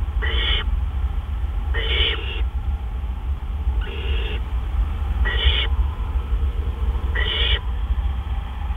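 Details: Harsh hissing screeches from a great horned owl nest while a gopher is brought in at 1:43 AM on April 10, 2013: five noisy bursts about half a second long, repeated roughly every one and a half seconds, over a low continuous hum.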